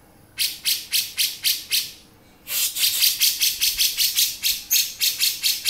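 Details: Harsh, rattling bursts from a male grey-cheeked bulbul in beset style, about six spaced notes, a pause, then a faster steady run of scratchy notes.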